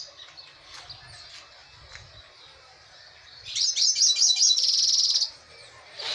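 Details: Caged goldfinch singing while its cage is held in hand: soft scattered high twitters, then a loud burst of rapid, buzzy, high-pitched trilled notes lasting under two seconds, followed by a brief final chirp.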